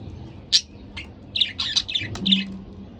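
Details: A pet budgerigar pair, heard as a quick burst of short scratchy chirps and squawks, five or six notes in close succession, over a steady low room hum.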